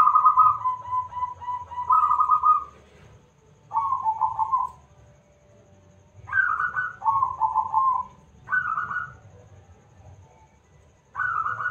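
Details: Zebra dove of local stock with a big voice, singing to lure other doves into song; rolling, quavering coo phrases delivered in pairs and runs, with gaps of a second or two between bursts.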